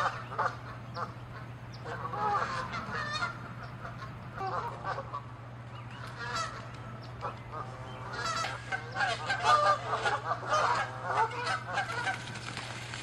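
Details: Canada geese attacking and chasing each other in a territorial fight on water and land; scattered honks early, building to a dense run of loud, rapid, overlapping nasal honks in the second half, with a steady low hum.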